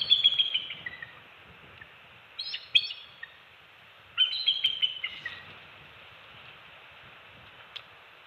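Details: Bald eagle nest on Captiva/Sanibel Island, Florida, two-week-old eaglets fed fish at an early-morning shift change, December 27, 2020; a few high chirping phrases with slightly falling notes, separated by long stretches of faint background hiss.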